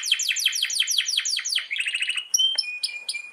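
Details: Canary tutor song, long-roll style, for silent or hard-to-breed canaries: a run of quick descending swept notes, then a fast buzzy trill, ending in clear high whistles and short chips.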